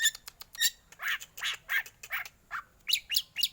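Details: Black magpie-robin, a caged competition bird, in 'batuk' style song: harsh, rasping cough-like bursts repeated about three per second, ending in sharp higher chips.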